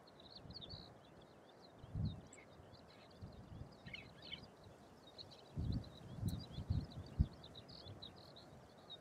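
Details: Chestnut-cheeked starlings keep up a soft, squeaky chatter of high, quick notes throughout, partly masked by low wind buffeting and thumps; recorded May 9 in Urahoro, Hokkaido, Japan, where they are common summer visitors.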